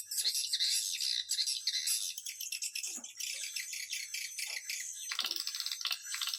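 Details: Lure call of swiftlets used to attract the birds, a dense high twittering chatter of rapid clicks and trills, with a faster rattling burst near the end.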